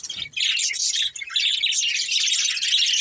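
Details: A budgerigar family at play makes steady, crowded chirping: rapid high twitters and warbled notes overlap without pause, with a soft low tap at the beginning.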